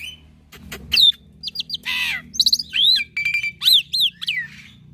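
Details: Black-winged myna, young and in lively song, full fill-in master recording: sharp downslurred whistles, a harsh rasp, short chips, then several arched whistles and curling notes in quick succession, over a faint hum.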